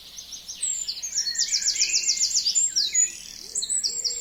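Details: Spring song of forest birds at a frozen wild forest lake, sunny and windy; very high, fast trilled series of sliding notes, with a short whistled descending note and overlapping chirps.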